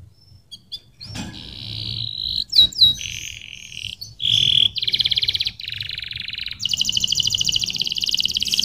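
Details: Canary song: after a quiet start, a string of sustained high trills and rolling tours, switching between buzzy and rapid pulsed phrases around the upper register, with brief whistled notes between.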